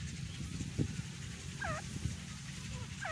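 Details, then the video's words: Grey francolin (Indian teetar) uttering two looping, falling notes late in the recording. A deep droning background fills the low range, with a few sharp taps early on. "Big indain teetar ki awaz"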